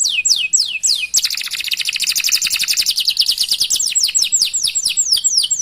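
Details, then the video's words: Prolific canary with chirps and rolls, sung to draw out other canaries: a few slurred whistles open into a dense, rapid trill that breaks into a series of descending sweeping notes. "Masteran Suara Burung Kenari Gacor Panjang Cuit - Cuit Ngerol || Cocok Untuk Memancing Kenari Lain"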